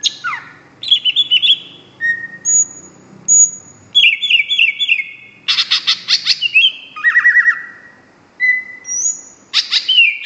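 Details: Song of the greater green leafbird, mimicking and varied: descending slurs, long steady high whistles, rapid repeated chips and buzzy bursts, alternating with short gaps over a soft low rumble.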